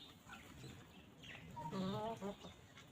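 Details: Free-range chickens roaming a peaceful farm, grazing and pecking at fresh grass; a short run of low, harmonic, throaty clucks rising and falling in quick succession over a soft rustling background.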